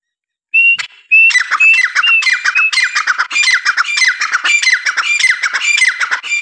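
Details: Francolin starting with two thin pitched notes, then breaking into a dense, continuous stream of loud, rasping squawks that repeats rapidly to the end.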